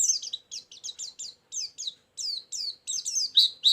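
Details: Lure and filler song of a very chatty white-eye: short bursts of high, downslurred twittering notes come in quick groups, separated by brief pauses and ending in louder sweeping phrases.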